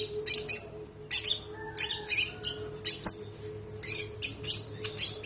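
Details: Konin trotol singing on a recording meant for other birds: loud high chirps and squeaky whistled notes in irregular bursts, including one sharp click-like note, with a faint continuous hum.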